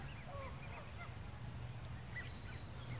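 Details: Canada geese at the lake in El Dorado Park, Long Beach, California, among a wide variety of birds; short nasal honks in a quick irregular series over a steady low rumble of background noise.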